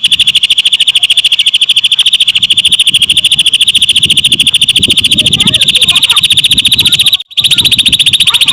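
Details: Nonstop high trill of lovebird mimicry from a Greater green leafbird, rapid even pulses broken by one brief dropout near the end, with low rustling noise in the background.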